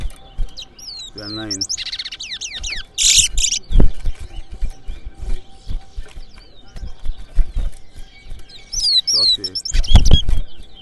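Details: Towa towa competing at a bird race, a song contest held in New Amsterdam, Berbice, Guyana: quick high warbled phrases and sharp chirps come in spurts, with loud talking voices and knocking sounds from the gathered crowd.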